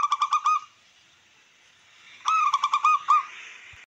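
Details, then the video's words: Zebra dove of the local wild type singing, meant to stir rivals and boost breeding urge: a quick run of throbbing coos, a silent gap of over a second, then a second stuttering burst ending in a longer note. "Perkutut lokal alam,langsung respon cepat untuk merangsang dan emosi lawan makin meningkat"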